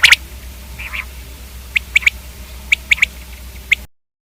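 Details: Common quail (batair) calling: a burst at the start, then short sharp high notes in quick pairs and triplets, spaced about a second apart against a faint low hum, ending in silence.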